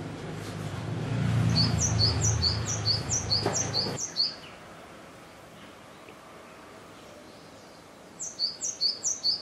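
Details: Male great tit singing powerfully in early April 2013 above a nest box in a Yokohama home garden, shortly after egg-laying or incubation began, defending nest and territory; high two-note phrases repeated rapidly in two bursts, the first over loud low rumbling.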